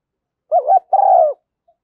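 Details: Spotted dove hen's lure call for stimulating decoy birds, thúc gù and gáy gọi styles: a quick undulating coo, then a sustained, slightly descending mellow note. No other sounds.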